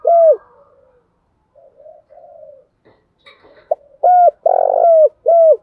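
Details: Spotted dove cooing in the Đồng Thổ voice style to stir a rival male into calling; a clear coo, quiet soft murmurs, then a burst of clipped notes and a longer husky coo, with faint background sounds between.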